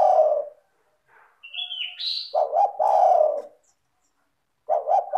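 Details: Spotted dove (tekukur) cooing to lure others to sing: soft low coo phrases with stuttered openings and long rolling ends, while a higher sliding whistle and chirps from another bird overlap in the gap.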